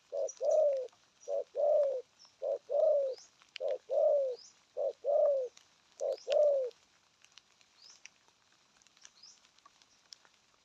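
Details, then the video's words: Spotted dove giving a series of about seven mellow cooing phrases over seven seconds. Each has a brief lead-in note and a longer, slightly falling hollow coo. Quiet follows. "Thổ âm cực phê! thuc gù thúc kèm bài bản"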